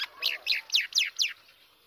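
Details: Young myna chicks chirping while their mother feeds them: five quick, harsh, buzzy chirps, each sliding downward, packed into just over one second, then quiet.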